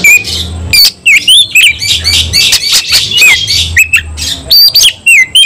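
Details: White-rumped shama, keyed up to fight, repeating quick whistled slurs and harsh buzzy bursts at a fast, uneven pace, loud, with a low hum in the background.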